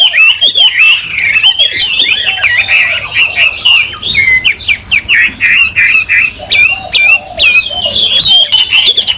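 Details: Caged Chinese hwamei, which its owner says he has not heard sing in a long time, pours out a loud, rich run of varied whistled phrases, slurred and sweeping, with brief pauses and no other clear sounds.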